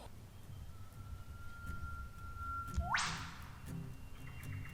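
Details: In D'Aguilar rainforest, Australia, an Eastern Whipbird gives a long, steady whistle of about two seconds, then a sharp, explosive whipcrack, over a low background rumble near a campsite.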